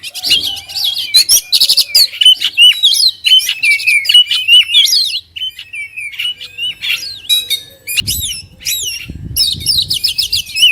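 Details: Oriental magpie-robin (kacer), a kept songbird in full song, called gacor: loud, rich, varied phrases of whistles, sweeping slurs and harsh buzzy bursts in quick succession, with a few soft low thumps in the background.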